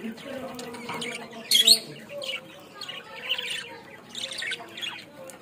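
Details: In Bangladesh, a budgerigar utters short scratchy chirps and warbled squeaks in bursts, one sharp loud squeal around the middle, with faint low background voices.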